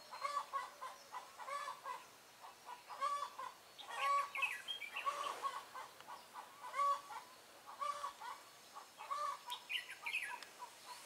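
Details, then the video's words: Decoy red-whiskered bulbul singing combatively while used for trapping wild birds, 23 March 2018: rapid-fire chattering phrases roughly once per second, mixing buzzy repeated notes with higher whistled flourishes. "Bẫy chào mào Mí lửa Bắn như AK ché rát"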